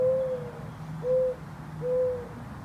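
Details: A mourning dove calls up close in a backyard, its neck bulging as it calls: three soft, low, hollow hoo notes, each steady then sliding slightly down, spaced under a second apart over a faint low rumble.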